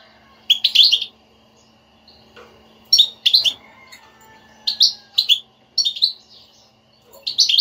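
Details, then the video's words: Motivating 'batbata' song of a European goldfinch, played to get a silent goldfinch singing; bursts of lively, tinkling chirps repeated about every one to two seconds, over a faint steady low hum. "حسونك لا يغرد أسمعه هاته البتبتة وشاهد النتيجة"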